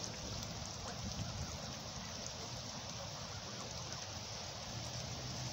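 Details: Steady rain pattering on surfaces outdoors, with a low background rumble.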